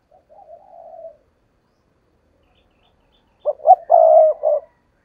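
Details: Decoy spotted dove used for trapping wild doves: one soft, wavering drawn-out coo, a pause, then a loud burst of short, deep, hollow coos running into a longer throaty note, in otherwise quiet surroundings.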